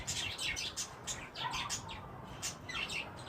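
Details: Wild green ringnecks during mating, giving quick high chirps and harsh squeaky notes in rapid clusters, with several birds calling over a steady hiss.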